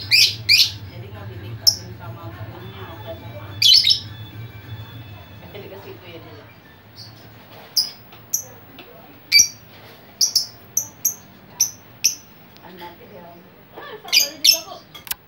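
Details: Noisy lovebird chattering to attract other lovebirds: bursts of shrill screeches early, then a quick run of sharp, high, clipped chirps, ending in a dense cluster of shrieks.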